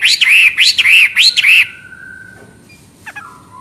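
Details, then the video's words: Hwamei, known locally as wambi, repeats one looping whistled phrase three times in quick succession, clear and melodious, then falls quiet apart from a thin sustained note and a brief chip. "Burung Hwamei Wambi NGOCEH Istimewa Gacor Suara Cristal"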